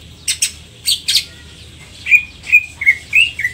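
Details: Greater green leafbird (cucak ijo), singing in the 'isian cililin' style: a few sharp broadband chips, then a series of clear, short whistled notes with sliding pitch, spaced about half a second apart.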